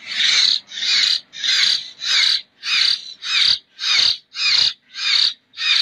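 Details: Young local common hill myna chick from Jember, still hand-fed, giving loud harsh rasping begging calls repeated steadily about every half second, ten in a row.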